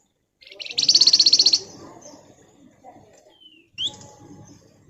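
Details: Javan fulvetta (flamboyan) giving a dense, buzzy, rapid nyerecet trill of just under a second, followed by soft twitters, a thin descending whistle and a brief upward chirp.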